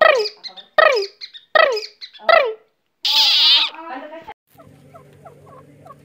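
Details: Two francolin chicks, called teetar, fighting and playing together: four loud, squeaky, downward-sliding calls in quick succession, then a harsh rasping burst, followed by faint chirps over a low steady hum.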